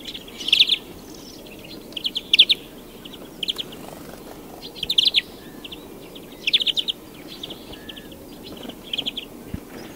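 European greenfinch song: short, bright twittering bursts, high-pitched and repeated every one to two seconds over a faint, steady outdoor hiss.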